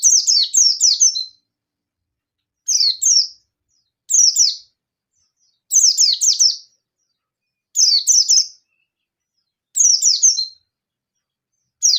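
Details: Challenging a rival, a local yellow-breasted Oriental white-eye in fierce 'ngalas nembak' style gives seven bursts of high, sharp downslurred chirps, one to four notes each, about every one and a half to two seconds.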